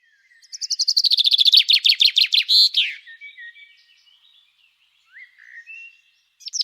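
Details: Common chaffinch singing its repetitive song beside the Lez river during a school outing; one bright phrase of rapid, descending notes speeds up and ends in a sharp flourish, followed by faint, thin calls.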